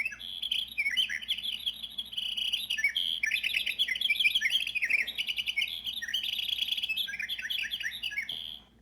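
Winter wren pouring out a long, unbroken song of very high, rapid tinkling trills and twitters, running for nearly nine seconds with a faint low hum beneath.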